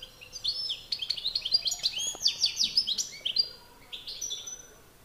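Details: European goldfinch males in a song contest, a master bird facing an excited one: a fast run of sharp, high chirps and sliding twitters, about a dozen notes in quick succession, then softer trailing notes.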